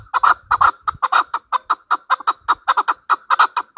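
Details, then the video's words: Chukar partridge (Alectoris chukar), called chakor, kept as a hunter bird, giving a loud burst of harsh clucking notes in close pairs and triplets, rapidly repeated for almost four seconds, with faint low thumps early on. "Pakistan National bird chakor ki awaz | Hunter chukar voices | Hunter Chukar sound"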